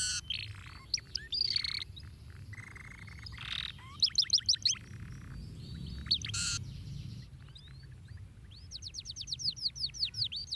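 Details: Canary song used to get canaries singing: varied high chirps and rasping buzzes, a quick burst of repeated whistles, more harsh buzzy notes, and then a long, steady run of fast down-slurred whistled notes closing the phrase.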